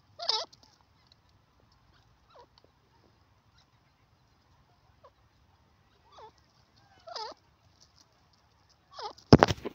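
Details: Grey francolin (teetar) calling. Loud, wavering calls with rich harmonics come in short bursts at irregular intervals, some fainter and some strong, over a quiet background. A sharp broadband crackle follows at the end.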